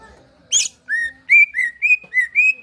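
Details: Caged greater green leafbird in a relaxed singing style used to prompt another leafbird to sing: after a short harsh burst, five clear whistled notes follow, each slightly rising then flat, spaced about a third of a second apart.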